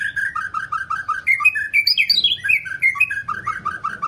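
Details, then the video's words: Long-voiced White-rumped shama song for training other shamas: rapid, steady series of short slurred whistles around one pitch, briefly jumping to higher swooping notes midway, then resuming the quick repeated pattern. "chòe lửa hót giọng dài,kích lửa cho chòe lửa căng lửa"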